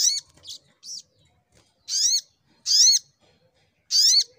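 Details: Brown-throated sunbird singing in full fighting mode with a shooting-style song: harsh, squeaky notes with a rising lower whistle, in bursts about every second, plus some softer short chirps between them.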